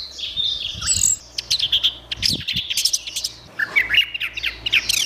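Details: Recorded orange-headed thrush, used to train songbirds, delivering a rich medley of whistles, rapid twitters and harsher chattering notes without pause, a low background hum throughout.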